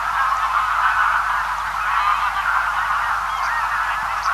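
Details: A big Greylag Goose flock, feeding and heard from afar, keeps up an even murmur of overlapping honks and gabbling calls; a few faint high notes from small birds near the end.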